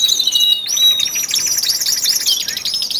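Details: Male canaries, twelve birds, boosting their singing in early February weeks before spring; clear sustained whistles and rapid fluttering trills overlap, several birds singing together in a busy high chorus.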